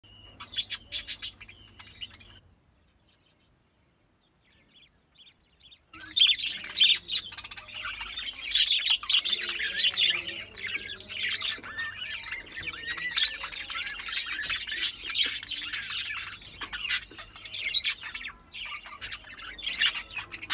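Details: Budgerigar; chatter calls; courtship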